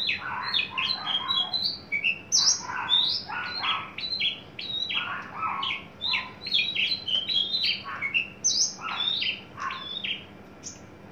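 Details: Adult male Horsfield's bush lark, tame and kept caged, coming into breeding condition: a varied, continuous stream of sharp whistled notes and chirps at shifting pitches, densely packed, over faint background hiss.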